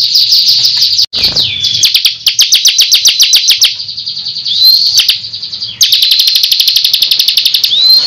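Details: Energetic bar-winged prinia 'tembakan gacor ngunci' song, with dense high ticking notes at about four per second, a brief drop-out, and repeated rising whistled phrases between chip runs.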